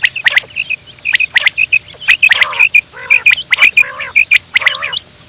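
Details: Quail heard in the morning, reportedly running, mostly rapid high thin chirps and clicks in quick succession, with a few lower nasal harmonic calls breaking through in the middle.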